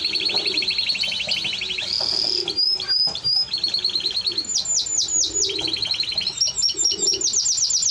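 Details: Song of a Timbrado Español canary, a dense chain of quick metallic trills, bell-like repeated notes and short rolling phrases, delivered almost without pause.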